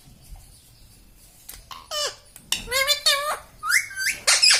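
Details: Talking pet parrot in a small room, known for "mummy", "papa" and "radhe": faint background at first, then several bright, sliding, voice-like syllables, rising and falling, ending in loud shrill notes.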